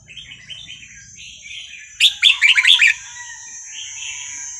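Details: Wild red-whiskered bulbul from Vietnam, singing for young birds to learn from: a sudden loud run of six quick, sharp warbled notes within a second, framed by softer bubbling phrases and a constant high-pitched hum.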